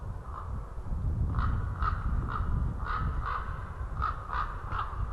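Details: Ringed White-tailed eagles calling from a tree at a winter feeding ground in Nova, Estonia, on 20 January 2013 in the afternoon: short, yelping notes in quick bursts, some doubled, over a steady low rumble of background noise.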